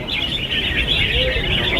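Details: A red-whiskered bulbul at a caged-bird singing competition gives bright, warbling whistled phrases while judges count its songs and an announcer calls the cage numbers over a loudspeaker, with other birds singing around it.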